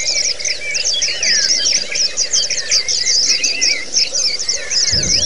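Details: White-eye (pleci) training song in ngalas and ngerol style for birds that only chirp; fast high twittering trills with looping whistled phrases underneath, a brief low thump near the end.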